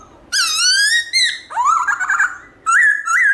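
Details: Black-throated laughingthrush singing a morning song in the forest style called 'giọng rừng đảo giọng', with shifting phrases: loud, clear whistled notes, first a long rising whistle, then a bending slurred phrase, then short rising and falling whistles.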